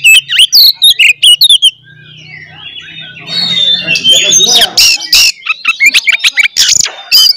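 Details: Oriental magpie-robin fighting song aimed at provoking other magpie-robins; a loud run of sharp whistled notes, a quieter pause, then harsh, scratchy squawking phrases mixed with quick whistles.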